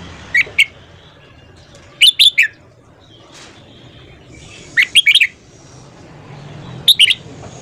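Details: Red-whiskered bulbul morning song for voice training: lively bursts of three or four bright whistled notes, repeated about every two to three seconds, with quiet low background noise.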